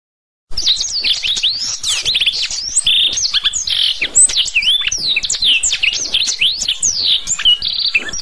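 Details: After half a second of silence, a black-throated canary launches into rapid, continuous song for training canaries: tumbling high whistles, sharp upward and downward sweeps and chattering trills, with a few buzzy notes mixed in.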